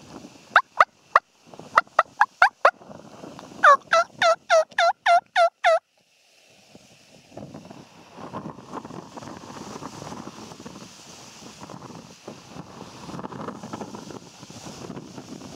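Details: Wild turkey tom in spring 2014: two loose groups of sharp notes, then a tight, loud series of seven harsh falling notes, followed by several seconds of low rustling and handling noise.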